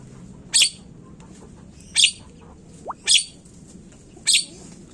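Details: Harsh, scratchy screeches of a Javan myna, recorded as a lure to make birds sing, repeated four times at irregular intervals of one to one and a half seconds, with a brief faint rising whistle between two of them.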